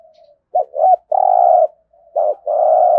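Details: 'Thúc gù' cooing of a spotted dove, played for daily decoy-bird practice: a quick double hoot and long level coo, then after a brief pause another hoot and drawn-out coo, with faint soft notes between.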